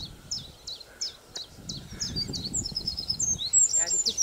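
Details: In spring at the Zouweboezem, Netherlands, where wrens sing everywhere in the scrub, a Eurasian Wren sings a rapid run of high, sharp notes about three per second, then a fast trilling flourish, with a man speaking quietly underneath.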